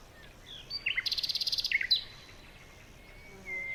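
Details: A bird in a morning forest gives a fast buzzy trill of about fifteen pulses, followed by a few sharp chirps and a long thin whistle, over a steady hiss.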